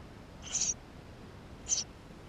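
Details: Eurasian tree sparrow chicks begging within the nest, recorded with a GoPro on 28 May 2016: a drawn-out high rasping squeal, then a shorter sharp one about a second later.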